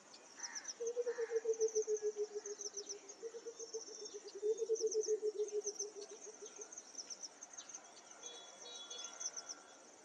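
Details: White-browed coucal (Centropus superciliosus) gives two low, bubbling bursts of rapid hollow hoots that slide gently downward, over a steady high insect buzz.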